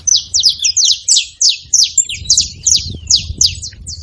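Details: Saffron finch vocalizing at a feeder, bright high-pitched chirps and quick downward-sweeping notes delivered in a fast, uneven series over a faint low hum.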